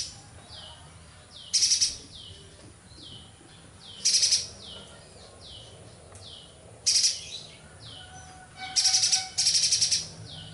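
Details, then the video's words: Streaked spiderhunter singing vigorously: short, intense rattling bursts of rapid high notes at irregular intervals, backed by a steady series of soft, drooping whistled notes from another bird. "Burung Pijantung Gunung gacor"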